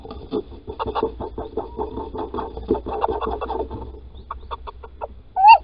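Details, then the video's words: Nest-scrape digging by a female Little owl at Holten, 16 March 2020, with the male calling. A long run of soft, rapid clucking notes slows into spaced single notes, ending with a loud, rising whistled note. "Steenuil Holten | 16 maart nestkuiltje graven"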